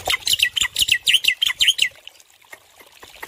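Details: Male black-winged myna with a loud, prolific voice, recorded as training audio for stressed birds: a rapid burst of harsh, sharp chirps for two seconds, then quieter scattered clicks.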